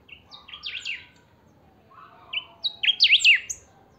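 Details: Two phrases of pica song from a kept chiviro, the saffron finch: each opens with short high notes and breaks into fast, sharp up-and-down slurs. A quieter lower whistle comes between them.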